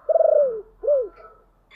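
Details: Spotted dove decoy, deep-voiced, calling to lure wild birds: a long low coo gliding downward, then a short arched coo, clear and close.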